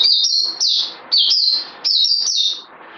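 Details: High-pitched songbird delivering rapid phrases of bright whistled notes, each burst stepping and slurring downward, repeated three times in quick succession.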